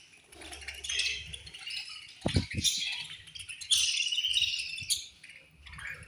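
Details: Budgies in a colony chirping at feeding time; rapid, uneven high twitters and warbles from several birds, broken by a few sharp low knocks.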